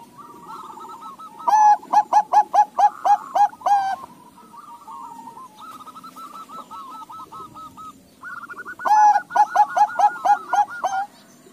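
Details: Zebra dove of Bangkok and local cross, replying to others, delivers two loud bursts of rapid, evenly spaced cooing notes. Quieter cooing from neighbouring doves fills the gap between them.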